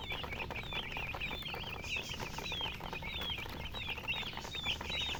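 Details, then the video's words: Baby chickens chirping together: a stream of thin, high, downslurred peeps overlapping continuously, several birds calling at once, over a steady low background hum. "MURGI Baby "Chicks Chirping" Sound"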